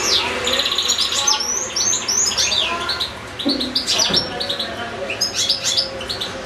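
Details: Singing caged European goldfinch, one of two goldfinches kept with two little goldfinch-canary hybrids, delivering dense tinkling twitters, repeated liquid high notes and buzzy phrases almost without pause.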